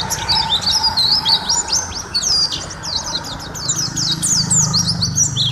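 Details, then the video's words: Energetic white-eye singing from a long tutor track for caged songbirds: fast strings of thin, high slurred whistles and chips, tumbling without pause, with a soft steady hum beneath. "Suara Masteran Burung: Pleci Gacor durasi panjang"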